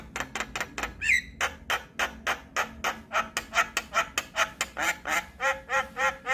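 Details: Javan myna used to draw out and teach starlings: a steady stream of gravelly, clipped notes repeated several times a second, with one brief wavering whistle early on.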